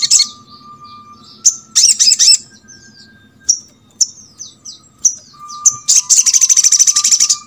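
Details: Crimson Sunbird song, a recording played to make other birds of its kind sing. High thin chirps and sharp downslurred notes come in scattered bursts, with two dense rapid twittering runs. A steady faint tone hums underneath.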